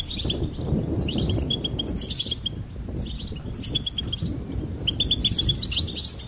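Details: Goldfinch song in clusters of quick, high, tinkling notes and buzzy trills, repeated in bursts about every second, over steady low-pitched background noise.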